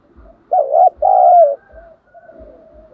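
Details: Vietnamese decoy spotted dove, giọng thổ sấm voice, calling to lure wild doves into a fight; a single loud two-part coo followed by faint low coos and occasional soft thuds.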